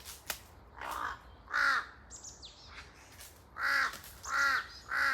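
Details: A pair of large-billed crows calling in echoing woodland: scattered hoarse caws, some faint and some loud, with brief high chirps and whistles from other birds between them.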